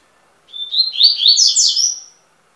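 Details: Double-collared seedeater delivering a short, sweet warbling song of under two seconds, a thin opening note followed by tumbling high slurred trills that rise and fall, clean with no other sounds.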